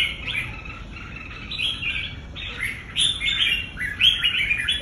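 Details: Red-whiskered bulbul, a competition bird in training, singing: bright warbled phrases of quick rising and falling whistles, delivered in short bursts with brief pauses, fairly clear of other sounds.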